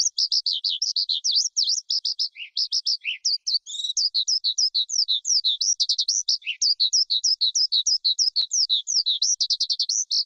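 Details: Long outpouring of wild forest skylark song, roughly three high notes per second, chattering and varied, with tight trills, sliding whistles and occasional lower drops, all on a silent background.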